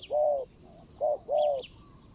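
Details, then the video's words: Spotted dove used as a decoy on the ground to lure a rival, recorded in Thailand on 24 January 2022: a clear, mellow three-part coo, with one long note, a short one, then a drawn-out final note, and a soft chirp behind. "ต่อนกเขาใหญ่.. ต่อดิน.."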